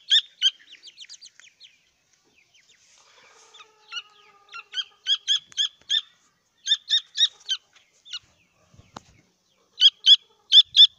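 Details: High-pitched piping from grey francolin chicks: sharp, squeaky notes in uneven clusters, fainter and scattered at first, then louder and steadier runs toward the end.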